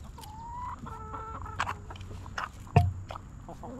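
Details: Backyard hens relaxing in their coop give soft, drawn-out tonal clucks and short murmured notes, with a sharper cluck near the end, over a steady low hum.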